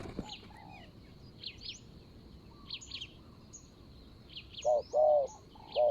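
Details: Decoy Spotted dove calling on the ground to draw in a rival wild dove, Thailand, January 2022: faint high chirps from other birds for several seconds, then three strong low cooing notes close together at the end.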